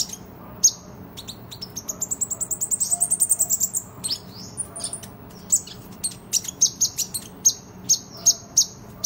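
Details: Sunbird (kolibri ninja) in energetic fighting-style song, meant as a tutor recording: scattered sharp high chirps, then a fast rising series of ticking notes, then evenly spaced bright high chips, with a low background hum.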